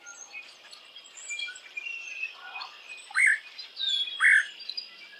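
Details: Red-headed woodpecker near Hannibal by the Mississippi River at 6:30 am, searching in and around its nest for a young one that has fledged; two short, harsh calls about a second apart rise over a steady insect drone and faint chirps.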